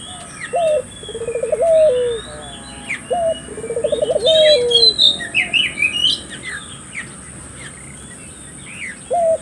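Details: {'caption': 'Lure recording of a collared dove meant to get local doves calling; low rolling coos with a brief lead note and vibrating trill, while small birds chirp busily above and a steady high hiss runs throughout.'}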